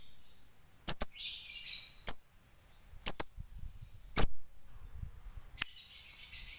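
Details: Lovebird kept as a fighter bird, chattering to provoke rivals: four sharp, shrill squeaks about a second apart with softer raspy high chatter between, closing with a continuous thin high chatter; faint low background rumble.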